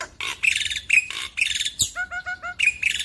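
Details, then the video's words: A young Black-winged Starling alternates harsh buzzy rasps with short bright whistles and a quick trio of lower clipped notes, singing continuously in gacor style. "Jalak Putih Muda - Jalak Putih Gacor Full Nembak"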